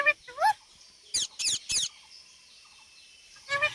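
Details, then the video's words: Parrot making sounds, with a rising whistled call, a burst of three harsh, noisy squawks in the middle, then another tonal rising call at the end. "parrot talking and making sounds"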